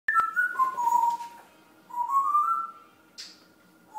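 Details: Pet grey parrot, an African grey indoors waiting for its lunch and babbling nonsense: two drawn-out whistled phrases, the first sliding downward, the second rising, each about a second long, with a brief click and a soft hiss between.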